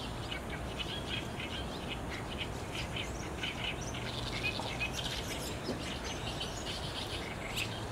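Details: Roost-bound barn swallows, overcast evening of 30 June 2019, digital SLR recording: many overlapping high chirps and twitters forming a restless chorus, a few sharper notes standing out, over constant low-pitched background hum.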